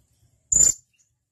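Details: One sharp, piercing high-pitched whistle from a blue-crowned hanging parrot, brief and clean against silence, intended as a master call for training pet birds.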